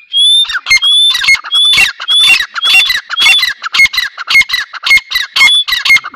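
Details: Grey partridge, Dakhni teetar, giving a fast run of harsh, squawky notes mixed with short whistled notes. The calls come nearly two per second and grow busier and more rapid toward the end.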